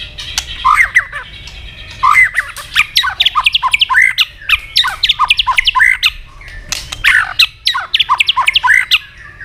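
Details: White-rumped shama fighting song, bird flicking its tail and stimulated to sing; varied loud whistled phrases with sharp clicks and squawky notes, delivered in bursts separated by short pauses, over low background hum.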